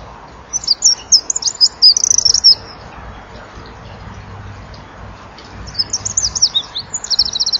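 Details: Eurasian wren in January evening twilight, 17:33, recorded by a nest-wall camera, singing with fluttering wings: a fast, shrill, twittering phrase of about two seconds, a quiet gap, then another rapid high trill.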